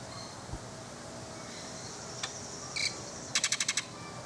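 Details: Greater Antillean grackle in Jamaica, a loud bird, gives one harsh, buzzy note, then a fast burst of six rasping, metallic clacks in under half a second, over a faint hiss.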